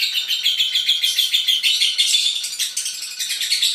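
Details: Lovebird giving a long chatter: dense, shrill, high-pitched twittering notes in a fast unbroken stream, roughly three per second, slightly harsh and buzzy, steady in loudness throughout.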